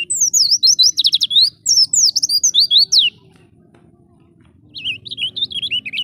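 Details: Wild-caught Oriental white-eye (pleci ngalas) in full 'gacor' song, used as a lure track to train pet birds: rapid high, thin whistled trills and sliding notes for three seconds, a pause, then another warbling burst over a low hum.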